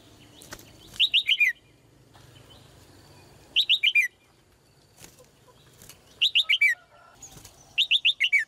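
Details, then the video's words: Red-whiskered bulbul, a female, sings four quick phrases of about four bright, descending slurred whistles each. The phrases repeat roughly every two to three seconds, with soft rustling and fluttering bursts between them. "นกหัวจุก birds - เสียงนกร้องตัวเมีย ร้องได้ไพเราะมาก ตัวผู้ร้องแรง"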